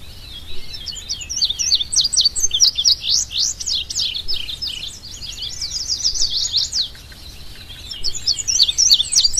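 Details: Indigo Bunting (Passerina cyanea) singing: high, sweet chirping notes tumble out in quick bright bursts, with sharp rising and falling slurs running almost nonstop, over a faint outdoor hiss.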